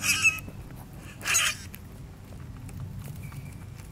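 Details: A grackle, one of a flock visiting a yard alongside a chipmunk and a grey squirrel, gives two harsh, squeaky bursts about a second apart, then a faint thin whistle over a low background rumble.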